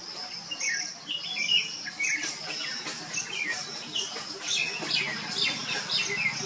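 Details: Three hungry common myna nestlings in a coconut trunk cavity, coastal Odisha, sunny, begging as a parent feeds them; busy overlapping raspy chirps and wheezy squeals throughout, with a constant shrill insect drone behind.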